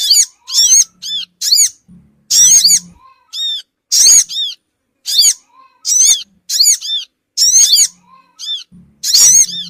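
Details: Sogon bird lure call to gather small birds: long sequence of piercing, arched squeaky notes, many in rapid pairs or triplets, repeated continuously with brief gaps.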